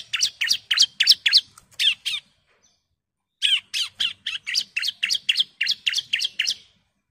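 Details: Bar-winged prinia female calling for the male, rapid bright chattering notes delivered about four per second in two bursts separated by a short silence.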